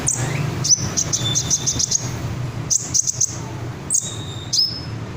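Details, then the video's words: Red sunbird: rapid series of high sharp chips and trills, pausing between bursts, with falling slurred whistles and low background hum. "Burung Kolibri Ninja Dada Merah Joss , isiannya Mantap , Red Sunbird"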